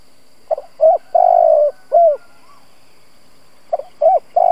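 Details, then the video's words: Lure spotted dove calling to stir up other doves: one complete soft cooing phrase of quick short notes, a long even coo and a falling tail note, then the next phrase beginning. "Cu gáy mồi Gù siết bổi nhập tàn, chim cu gáy kích bổi nhanh nổi"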